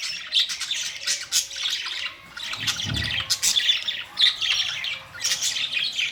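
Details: Group of budgerigars, May 2, 2023: a dense stream of scratchy chirps and sharp squawks from many birds at once. A brief low thump comes near the middle.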